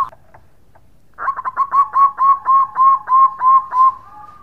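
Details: Local zebra dove singing vigorously, a melodious chain of about ten bubbling coos at an even mid pitch, delivered three per second after a short soft lead-in and closing on a held tone.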